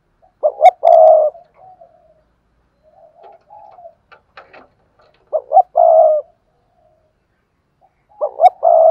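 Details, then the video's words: Spotted dove decoy for training newly caught birds to coo; three phrases of two short coos and a long hoarse croo, with quiet mumbled notes and a few soft clicks between them. "Tiếng chim cu gáy kích bổi nhanh nổi// cu gáy mồi luyện bổi nhanh gáy"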